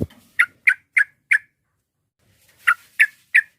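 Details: Sharp repeated notes from a sooty-headed bulbul meant to provoke rival birds: four evenly spaced clipped calls, a short pause, then three more in the same rhythm.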